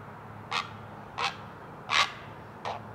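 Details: Great blue heron at a nest in a rookery of about 50 herons, 100 feet up loblolly pines on Maryland's Eastern Shore, Chesapeake Bay, recorded 20 July 2018 around 5 a.m.: four short, harsh, raspy bursts spaced roughly 0.7 seconds apart.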